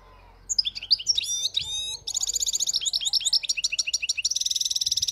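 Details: Wild European goldfinch singing, described as a flawless song: tinkling, rapid twittering phrases with liquid trills and buzzy notes, ending in a fast repeated rattle; faint low background hum.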